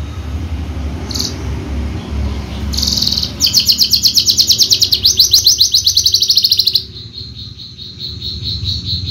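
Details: Competition Horsfield's bushlark from Java delivers a brief squeak, then a long fast trill of evenly pulsed high notes lasting about three seconds before stopping abruptly, over low background rumble.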